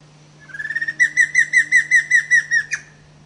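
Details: Giant antshrike (Batara cinerea) at São Francisco Xavier, São Paulo, Brazil, 5 November 2010: soft notes quicken into about ten loud, ringing, down-slurred notes roughly a fifth of a second apart, ending in a harsh burst, over a low steady hum.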